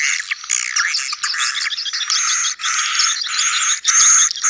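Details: Swiftlet colony, sedot anakan sound meant to attract young birds to new buildings: continuous buzzy chattering in pulses about a second apart, curving chirps early and a clear high whistle near the end.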